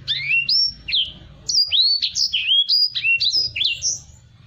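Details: Black-throated canary, a tutor bird for other songbirds, delivering a fluent chain of swooping, slurred whistles, each note sliding up or down, with short gaps between phrases.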